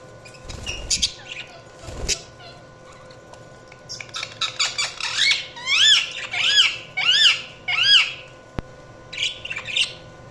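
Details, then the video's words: Budgerigars chirp and squawk: after a few harsh bursts, a run of short rising-falling whistled notes repeats about every half second, followed by scratchy chatter. "Budgies Chirping sound"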